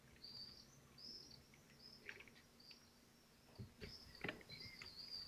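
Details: Kestrels at a nest in Théding, France, on 25 June 2023, while prey is fed and tugged; a string of high, thin whistles repeats steadily over faint clattering.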